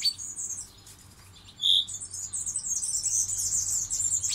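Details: European goldfinch song from a breeding setting in Poland, 2018: dense, high, tinkling twitter that runs almost without pause, with a brief, louder, lower chirp near the middle.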